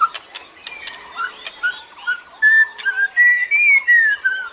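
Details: White-rumped shama song from a forest-sourced recording used to train captive shamas to sing, with clear whistled phrases sliding around mid pitch, rising and falling, preceded by sharp clicks and short notes.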